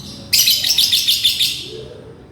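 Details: A single long, shrill, chattering burst from a lovebird calling to its companion, rapid pulsing notes lasting over a second and fading out.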